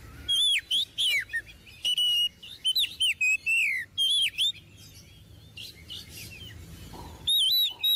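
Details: Busy Oriental magpie-robin song offered as a model for untrained magpie-robins: crisp whistled slurs, trills and chips packed into rapid phrases, a quieter gap after four seconds, then renewed loud whistles.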